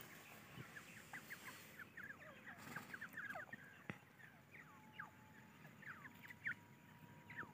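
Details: A group of young grey francolins, Irani dakhni teetar chicks, make scattered thin peeps and downslurred chirps. Some are brighter and more distinct. A steady faint electrical hum runs underneath.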